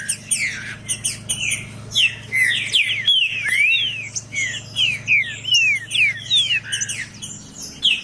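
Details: Green-winged saltator tutor bird singing to warm up cold saltators: dense run of loud whistled, slurred notes, rising and falling sweeps repeated rapidly over eight seconds, with overlapping phrases and a faint low hum beneath.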